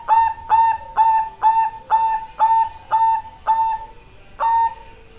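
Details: Song of a Bangkok-type zebra dove (perkutut): nine round, flute-like coos repeated about twice a second, with a slight pause before the final note.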